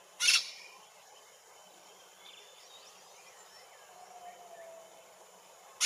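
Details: Brown-throated parakeet (Eupsittula pertinax surinama) in tropical rainforest in French Guiana: two harsh, grating screeches, one at the start and one at the very end, with faint high chirps and twitters of other birds between.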